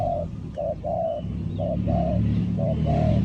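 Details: Spotted dove used as a ground decoy to lure wild doves for trapping, giving short mellow coos in a quick uneven series, two to three notes per phrase, over steady low rumbling background noise.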